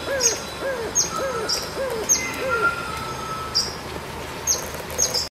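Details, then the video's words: A yellow-bellied fairy-fantail, a small, very active bird resident to the Indian subcontinent, repeats thin, sharp, high notes about once a second, while another bird gives soft, low hooting notes in a quick run. "Yellow-bellied Fairy Fantail"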